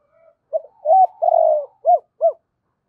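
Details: Full double-voice, two-tail-note phrase from a decoy spotted dove luring wild doves. A short lead-in note comes first, then a doubled coo, a long, drawn and gently falling coo, and two clipped, rounded closing coos.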